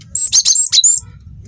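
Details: Single rapid phrase from a young cinereous tit singing freely: five or six high, ringing chips and thin whistles run together, then silence over a faint low hum.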